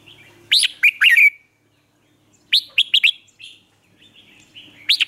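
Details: Lure song of a red-whiskered bulbul, used in Vietnam to train caged bulbuls and prompt freshly caught birds to sing: bright, sharply rising whistled notes in quick bursts of three to five, repeated about every two seconds.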